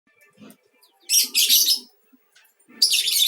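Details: Lovebird song used as a lure to get other lovebirds singing, in the beginner's mangsi style; bursts of harsh, buzzy chattering separated by short pauses, with faint low rustling in the background.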